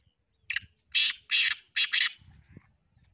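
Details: Black francolin (kala or Sindhi teetar) giving a harsh, grating call: a short lead-in note followed by three loud, buzzy, broadband bursts, the last doubled, over a low background rumble.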